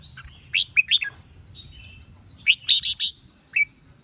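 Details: Singing red-whiskered bulbul, used to provoke competing birds: two short phrases of clear, slurred whistled notes, the second a tight run of three or four loud notes, ending with one rising note.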